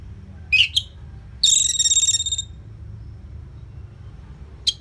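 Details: Orange-headed thrush in a cage singing as a prompt for other birds: two brief high notes, then a fast buzzy trill of rapidly repeated elements, followed by quiet and one final chip.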